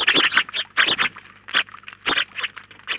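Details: House sparrows, a flock of up to nineteen at once, gather at a feeder in Collado Villalba. They give dense overlapping chirps in bursts, with short gaps between, over a faint steady low hum.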